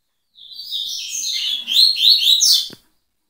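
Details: Double-collared seedeater singing in tui-tui style, starting with level whistled notes and building into loud, quick, swooping chirps, ending with a faint click.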